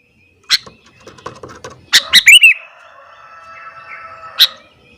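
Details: Sooty-headed bulbul singing hard in the morning to provoke rival bulbuls: a clatter of soft clicks, then a burst of bright, bubbling chirped notes and a final sharp high note over faint steady background tones.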